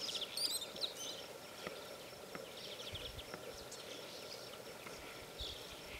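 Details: A flock of Spotless starlings feeding in a recently harvested field at Castelo Branco, Portugal, on 20 July 2012 keeps up a steady chatter of short, high, scratchy clicks and whistles over a constant low hum and faint background noise.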